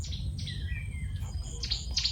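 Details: Near a home in Southern Africa, cuckoos calling to each other close to a perched Malachite Kingfisher trade short, high whistled notes, one sliding down in pitch, then bright clipped chirps, over a steady low wind rumble.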